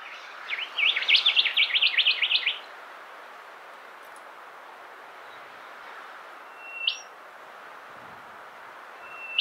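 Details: Rufous whistler at Monarto Woodlands, South Australia, 20 October 2021: a rapid, ringing run of about a dozen bright notes over two seconds, then two lone up-flicked whistles against a quiet background.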